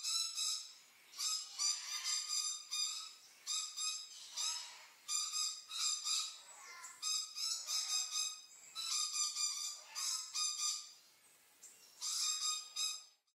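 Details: Fluting song of the red-billed leiothrix, known as Chinese Nightingale, delivered as a long series of rapid, high, rolling phrases, each about a second long with brief gaps, carrying a steady lower whistle beneath; no other sounds stand out.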